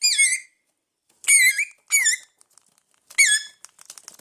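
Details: Hungry pet parrots indoors giving loud, squealing, whistled calls that waver up and down, four calls spaced about a second apart, with light tapping and rustling afterwards.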